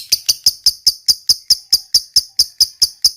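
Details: Fighter-type lovebird in long 'ngekek' chattering: sharp, harsh high notes repeated steadily about five times a second, evenly spaced, with no other sounds.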